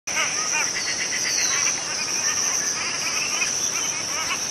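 A Cotton Pygmy-Goose gives rapid runs of short, chattering, cackling notes in flight, over a steady high-pitched insect drone.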